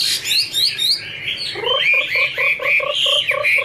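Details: Female Chinese hwamei kept in a cage with a male behind: high whistled slurs at first, then a lower rhythmic series of short pulsed notes under higher chattering whistles.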